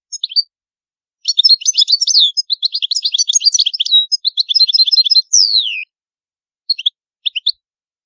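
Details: European goldfinch of the old Palermo Sicilian song style, a training recording for young birds, with no background noise: dense twittering runs of fast high chirps for about four seconds, a long descending whistle, then a few scattered short notes.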